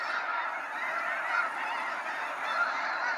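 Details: Snow geese in waves flying out at sunset from Sacramento National Wildlife Refuge; a continuous wall of barking honks, several individual notes rising briefly above the crowd roughly once a second.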